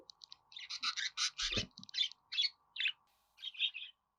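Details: Budgerigar chatter for pet birds to respond to: a dense rapid run of buzzy notes fading into separate softer chirps, with a low thump in the middle.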